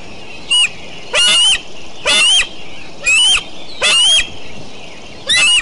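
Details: Eagles at Decorah, 29 June 2012, calling through a morning: a short opening note and then five shrill, grating screams in a loose rhythm near one per second, with constant hiss behind.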